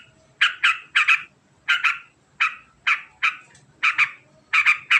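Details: Trucukan, the sooty-headed bulbul, in a rapid ngekek sequence. Harsh, raspy notes come singly or in quick pairs and triplets, with short pauses between groups.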